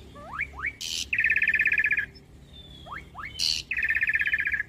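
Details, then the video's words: Asian pied starling song used as a master recording for young birds to copy: two quick rising whistles, a harsh broadband burst, then a long buzzy rattling phrase. The sequence repeats twice over a faint low hum. "Pancingan Jalak Suren Macet Bunyi / Masteran Jalak Suren Muda Agar Cepat Masuk Materi Mudah Di Tiru"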